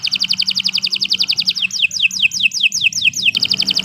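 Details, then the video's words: Canary song alternating between a rapid high trill and a slower sequence of ringing, falling whistled notes, then back to the fast trill. "Kicau Burung Kenari 165 II LUAR BIASA GACOR PANJANG Cocok untuk Masteran"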